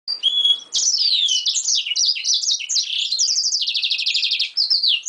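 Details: Yellow-rumped seedeater and canary hybrid coming out of moult, singing a continuous high, rapid song: sweeping slurred notes running into a long fast rattling trill, then brief sharp phrases.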